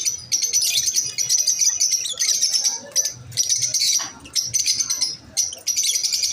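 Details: Busy, piercing chirps from masked lovebirds repeat in quick clusters, with a single downward-sliding note near four seconds.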